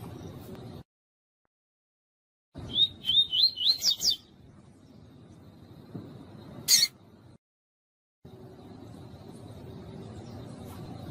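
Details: Female double-collared seedeater calling to stimulate caged males to sing, in the tui-tui style used to warm up tournament birds: a quick run of six high rising whistled notes over about one and a half seconds, then a brief sharp chirp, with steady background hiss.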